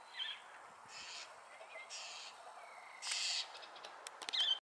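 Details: Wild owl with three hoarse, hissing screeches about a second apart, the last one loudest, followed by sharp clicking taps.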